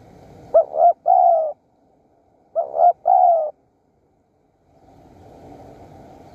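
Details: A wild spotted dove coos twice in Surat Thani, Thailand, while birds are lured with a decoy. Each phrase is a rapid double note and then a sustained falling coo, and faint rustling background noise rises afterward.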